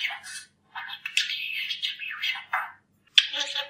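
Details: A talking budgerigar from Poland, entered in a talking birds championship, chatters mimicked speech. The phrases are high, rapid and warbling, run together in bursts and separated by short pauses, ending in a sharp click-like note.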